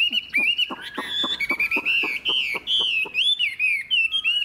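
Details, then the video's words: Loud song from a caged old wild-caught Chinese hwamei: steady rhythmic clicks paired with clear rising and falling whistles, ending in varied looping whistled phrases. "Họa mi già rừng hót hay"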